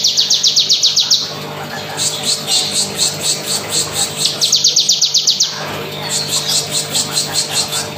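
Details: Bar-winged prinia (ciblek kristal) in continuous rapid song: high, rapid chipping bursts of about ten notes, alternating with slower, evenly spaced sharp notes, over a faint steady hum.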